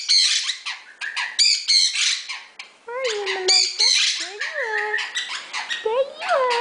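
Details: A pet rescue Quaker (monk) parakeet gives loud, harsh squawks and chattering calls with rising and falling whistled notes mixed in, in quick successive bursts, amid a household of several parrots.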